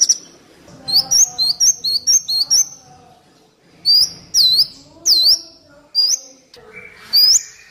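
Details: Van Hasselt's sunbird training song for captive birds, also used to lure wild birds. Very high, sharp whistled notes, some rising and some falling, come in quick clusters with short pauses between bursts.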